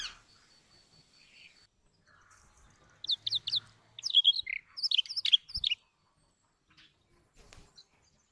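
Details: Brown rock chat, also called Indian chat, giving a short burst of high, sharp chirps and twittering notes in quick clusters, with a faint thin whistle at the start and quiet background otherwise.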